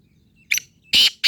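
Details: Black francolin calling: a short harsh burst followed by two loud, grating, broadband notes in quick succession, the middle one longest.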